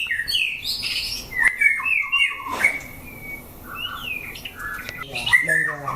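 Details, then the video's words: White-rumped shama during a 'chảo lửa' test of fighting birds: whistled notes and sliding phrases, a long level whistle, softer gap, then a burst of rapid rattling notes at the end. "Chảo lửa test chim đấu (shama bird singing)"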